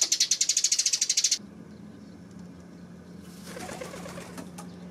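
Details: Eurasian tree sparrow on 28 May, a fast even string of about fifteen high chirps lasting over a second, then a low steady hum and broad rustling noise.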